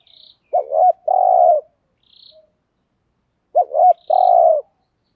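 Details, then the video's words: Lure decoy spotted dove delivering THÚC GÙ calls; two phrases spaced about three seconds apart, each a rolling double note leading into a long low coo, faint chirps from another bird. "chim cu mồi bài bản THÚC GÙ bài bản nhất hiện nay, cu cườm bài bản dùng kích bổi hiệu quả"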